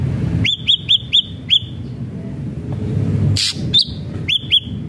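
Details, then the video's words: Singing ashy drongo lure: a quick string of five hooked whistled notes, a pause, then a harsh noisy burst, a drawn-out whistle and a final pair of notes. "srigunting abu abu gacor AMPUH BUAT pancingan srigunting abu biar bunyi"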